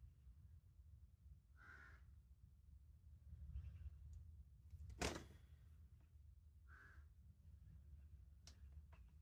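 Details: Carrion crow calling two separate rough caws about five seconds apart, with a sharp knock or bang between them and low rumbling background noise.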